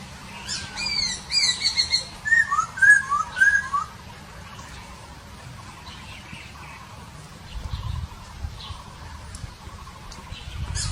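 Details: Wild masked laughingthrush singing in nature: a burst of short whistled notes, some rising and falling, grouped over about two seconds, with higher thin notes before. Quieter bird chatter follows, with low background rumble.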